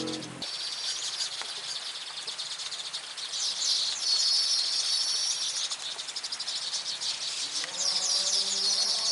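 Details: Weaver guarding its nest: dense, buzzy, high chattering that runs almost without a break, with rapid sizzling trills rising in bursts. Lower, faint tonal notes come in near the end.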